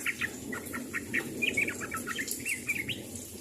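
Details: Sooty-headed bulbul calling to others of its kind: a busy series of short, bubbly chirped notes, some rising, some falling, repeated quickly over a soft background hiss.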